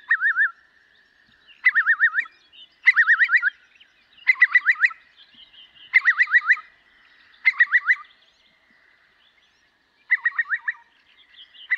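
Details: Eurasian curlew giving repeated bursts of bubbling, rapidly rising and falling warbled notes, each burst under a second long and spaced about every one and a half seconds, against a quiet background.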